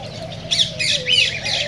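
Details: Cockatiel sounds played to stimulate mating: three bright, rising-and-falling chirped whistles in quick succession over faint background hum.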